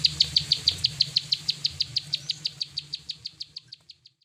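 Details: Plain prinia (prenjak sawah) delivering a long run of sharp, high clicking notes about three per second, loud at first then gradually fading away, over a faint low hum.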